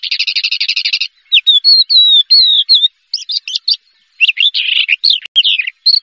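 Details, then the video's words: Champion contest Javan bush lark opening with a rapid buzzy trill of about a second, then clear drawn-out whistles and jumbled chirps with short gaps, all high-pitched and free of other noise. "SUARA BRANJANGAN JUARA 1"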